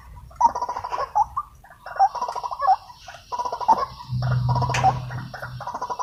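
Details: Wild white-breasted waterhen, riled up by a trapper's decoy, utters rolling series of nasal, gurgling croaks in phrases about a second long, separated by short gaps; a low hum rises near the end.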